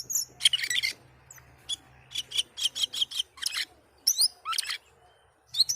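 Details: Asian pied starling in heavy song, giving bursts of scratchy, buzzy, rasping phrases broken by short gaps, with a few sharp rising whistles toward the end and a faint low hum beneath.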